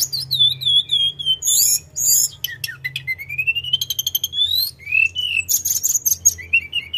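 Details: Loud rolling song from a Sunda robin: drawn-out wavering whistles, a long rising slide, quick rattling note series and high clipped chirps, fast and continuous, with a low hum in the background.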